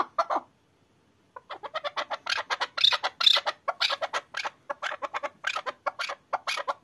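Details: Excited chukar partridge used for hunting gives a single cluck, then a pause, then a dense, rapid series of harsh chattering chuk notes.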